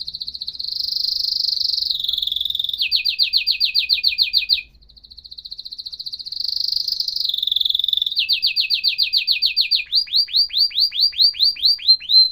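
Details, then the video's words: Canary song with a high buzzy roll that turns into rapid downward-sweeping pulses. After a short dip the same pattern repeats and ends in slower, widely spaced falling chirps. Clean background. "تغريد كناري احترافي صوت يشعل الحماس عند الطيور"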